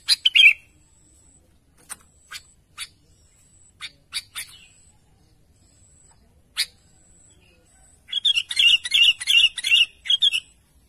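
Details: Sooty-headed bulbul calling to its companions: scattered short sharp chirps and clicks with a thin steady high whistle, then a rapid burst of repeated bright chattering notes near the end.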